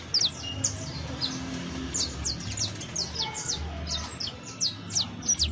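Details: Professional song of a saffron finch, locally called canario basto: a steady stream of bright, quick downward-sweeping chirps, closely packed and fairly even, against low background hum.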